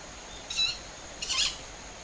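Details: Young owls, about five birds moving tens of metres above ground, calling near a home garden on a July evening around 19:40 in early summer, recorded on a compact camera; two short, harsh, hissing screeches less than a second apart over steady faint hiss.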